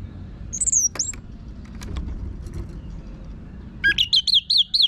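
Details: Orange-headed thrush (anis merah) from northern Bali, song played to train birds to sing; brief high slurred whistles, then a rapid run of repeated looping notes near 3-4k at the end, with soft background hiss.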